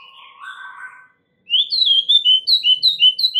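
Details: White-rumped shama song used as a lure to draw other shamas into singing: soft whistles, then a quick series of bright descending slurred notes repeated about three times a second.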